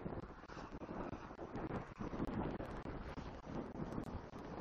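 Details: Gusty wind buffets the microphone over a low rumble, and no animal voice stands out.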